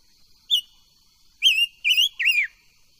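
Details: Silver-eared mesia in voice training: a short piping note followed by three rich, undulating whistled notes, the third sliding down in pitch.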